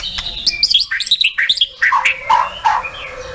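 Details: White-rumped shama, a competition songbird, singing quick varied notes that descend into a few rich, lower warbled phrases, about a dozen notes in three seconds.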